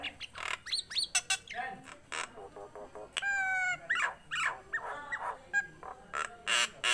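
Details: Tame Nias hill myna in full, active voice: a loud, varied run of clear whistles, harsh squawks and quick clicking notes, with a buzzy, rattling harmonic phrase near the middle and short pauses between bursts.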